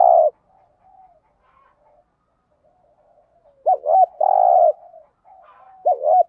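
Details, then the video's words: Spotted dove doing 'thúc gù' cooing in the thổ đồng voice, used to stimulate doves in training. Low coos open with quick wavering, looping notes followed by a long steady hum, with soft faint murmurs between phrases. "tiếng chim cu gáy giọng thổ đồng thúc gù bài bản rất chuẩn"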